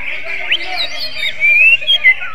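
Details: Greater green leafbird with kacer-style song, a short phrase of sliding whistles ending in brief bright notes, set against a continuous wash of other birdsong.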